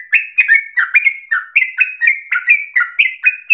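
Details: Yellow-vented bulbul (trucukan) in full, persistent song, a long rapid run whose voice resembles a straw-headed bulbul: quick slurred whistled phrases dipping and rising, about four per second, steady and unbroken throughout.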